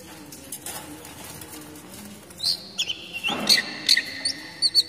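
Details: Oriental magpie-robin (kacer daput) basic song for luring young wild birds and for moulting therapy. The first half is quiet hiss, then a knock is followed by high bright whistled notes and chips, several per second.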